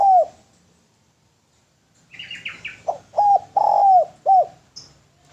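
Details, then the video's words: A Spotted dove gives short, low, hooked coos, one alone and then several in an uneven run after a pause, with brief higher chirps mixed in. "SUARA DERKUKU GACOR SUARA MERDU BERSIH MEWAH MASTERAN TEKUKUR"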